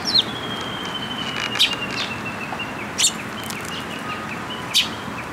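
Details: Eurasian tree sparrow fledglings visiting a post to be fed, shrine grounds, 28 May 2022; sharp chirps every second or so, with a thin long whistle from another bird and steady hum.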